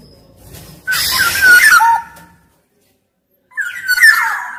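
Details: Black-naped oriole (kepodang emas) singing vigorously as a training lure: a harsh, rasping burst blended with mellow descending whistles, a second of silence, then another fluty whistled phrase.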